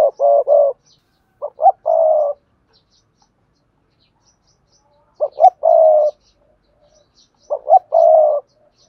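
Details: Singing spotted dove, Cườm Sa song style: three phrases spaced several seconds apart, each with two quick rising notes and then a drawn-out husky coo, with silence between phrases.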